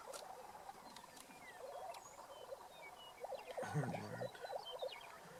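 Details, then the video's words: Lesser prairie-chickens displaying on a lek in Kansas on 19 April 2015, many birds overlapping in rapid, chattering mid-pitched clucks and gobbling notes, with a deeper booming burst partway through. "Lesser Prairie Chickens on lek"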